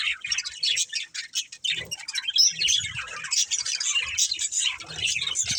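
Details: Breeding pair of budgies chirping and warbling: quick squeaky notes and buzzy trills in an unbroken run, with occasional soft low taps.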